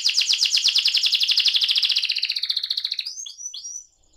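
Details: Canary of the AF type singing a rolling song: a fast, even trill of rapid buzzy notes that holds for about three seconds, then drops into three short upswept whistles before falling silent.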